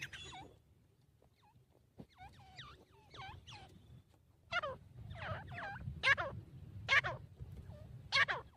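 Grey francolin giving loud, ringing, repeated notes that build into a rhythmic series, roughly one phrase per second, over a low background hum.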